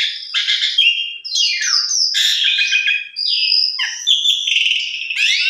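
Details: Asian pied starling lure song, full of varied material, to prompt other starlings to sing: dense jumbled whistles, descending slurs and buzzy chatter, with brief pauses between bursts.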